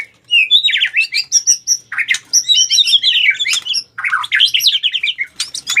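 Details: Fighting challenge song of a white-rumped shama, dense and varied: high whistled phrases mixed with buzzy, chattering bursts in rapid succession, with brief gaps between phrases.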